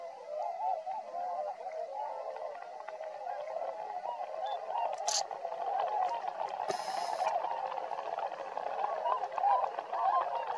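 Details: Flock of tundra swans foraging around Drumheller, Alberta, Canada, giving a constant babble of overlapping honks, with a couple of brief hissing noise bursts partway through.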